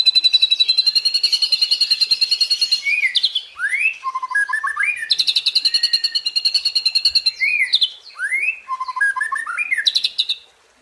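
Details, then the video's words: White-rumped shama delivering tembakan and isian. Long machine-gun trills of rapid repeated notes alternate with brief rising whistles and short stepped phrases, twice in succession. "Dahsyaaatt Tembakan & Isian Murai Batu // AmAzing Bird chirping like no tommorow"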